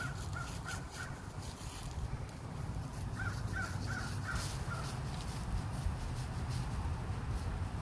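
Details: Crow in Minnesota giving unusual, strange chittering noises: two loose runs of short, clipped mid-pitched notes, a handful in each run, separated by a pause, over a steady low rumble of background noise.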